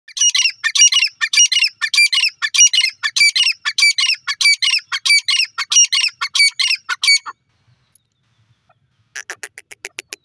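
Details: Grey francolin (teetar) calling: a loud, harsh, squawking phrase repeated rapidly and steadily, about 97 notes a minute, for seven seconds. A pause follows, then a fainter burst of quick clicking notes near the end.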